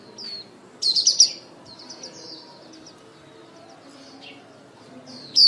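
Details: A female white-eye lure bird calls the flock, used for trapping: a soft opening whistle, then a rapid burst of trilled high chirps, a run of quieter twitters, and a bright whistle at the very end.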